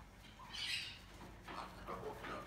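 A salmon-crested cockatoo gives one harsh, rasping screech, followed by shorter, lower squawking notes over a faint steady hum.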